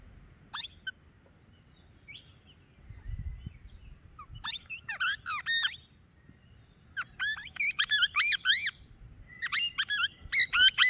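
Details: Plum-headed parakeet giving scattered bursts of sharp, squeaky, rising-and-falling chirps, with quiet pauses between the groups and a soft low rumble in the background.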